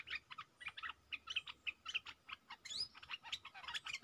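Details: A decoy stripe-throated bulbul in a cage, facing captured wild birds, pours out a continuous run of quick, chattering, liquid notes, about four per second, with one higher squeaky swoop near the middle.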